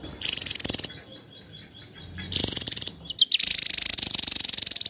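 A Javan tesia gives bursts of very high, rapid buzzy trills in quick succession, broken by a few sharp chips and a thin sustained whistle.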